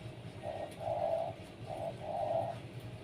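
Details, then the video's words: Caged Zebra dove sunning in the morning gives a soft, low, purring coo in paired bursts: a short note followed by a longer trilled coo, twice in succession. Faint background hum. "RELAKSASI, penjemuran burung perkutut biar rajin dan gacor"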